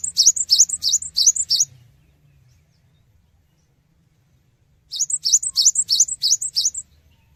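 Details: Cinereous tit song to elicit responses from other birds: a burst of quick, high, repeated two-note phrases, a three-second silence, then another run of about seven phrases. Faint low noise beneath.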